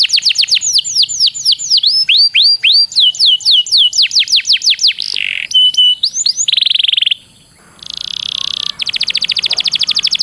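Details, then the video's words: Canary master song meant for training contest canaries and said to please judges: fast tours of down-slurred whistled notes repeated several per second, shifting to short buzzy notes, a dense sustained roll, then a rapid high rattling trill. "Suara masteran burung kenari yg di sukai para jurii"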